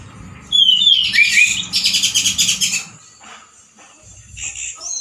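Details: Caged male orange-headed thrush in steady loud, harsh song. A bright whistled phrase slides downward, then a dense run of fast, rattling, high-pitched notes follows before quieter twitters, with soft low thumping underneath.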